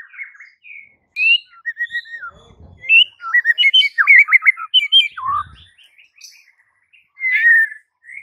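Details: Training song of a white-rumped shama, meant to draw silent birds into singing: varied whistled phrases, some slurred downward, building into a dense run of rapid warbling notes, with two faint low thumps in the background.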